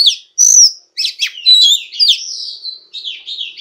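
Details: Female Oriental magpie-robin song meant to stir males into singing, a continuous run of varied high whistles, slurred notes and warbling phrases with a few short gaps.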